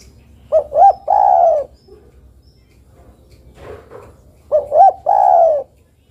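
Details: Calling female zebra dove summoning a male: two phrases of two brief arched coos and a drawn-out rolling coo sliding downward, with a soft muffled rustle between them.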